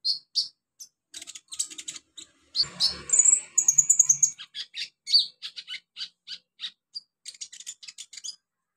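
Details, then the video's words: Olive-backed sunbird singing in the wild in its native habitat: rapid, high, thin chips and short trills in irregular bursts, with a brief denser scratchy passage midway and a faint low rumble. "KICAU KONIN ALAM LIAR HABITAT ASLINYA"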